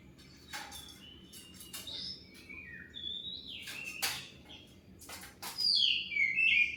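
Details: Oriental magpie-robin singing to provoke replies from other birds, giving varied whistled phrases with clicks and sharp broadband ticks, ending in a louder warbling, descending flourish over steady low hum.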